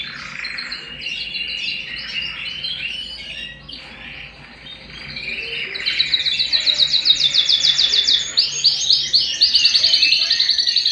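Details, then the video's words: Pet canary singing indoors: soft warbled phrases at first, then a loud, very rapid rolling trill repeated in clear pulses, followed by further bright chattering trills. "canary bird - canary singing - canary sounds - canary singing at home"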